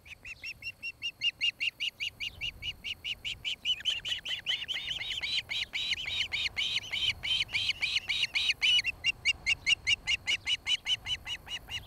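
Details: Osprey pair at their nest in Charlo, Montana, nest camera, late afternoon of 26 July 2018: a prolonged, insistent series of loud whistled chirps, several per second, swelling into a dense excited burst midway before settling into an even rhythm.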